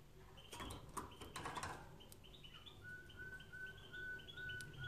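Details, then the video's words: Canary singing, used for training canaries: a few clicks and wing flutters, then high chirps and a run of clear, evenly spaced whistled notes at one steady pitch, with a low hum beneath. "Canary Singing Video | The Best Canary Training sound"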